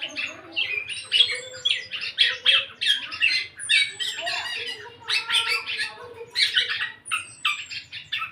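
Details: Eight-month-old black-naped oriole, a kept bird just starting to sing fully, gives harsh, scratchy chattering bursts mixed with short whistles, repeated in uneven phrases, over a low steady buzzing hum.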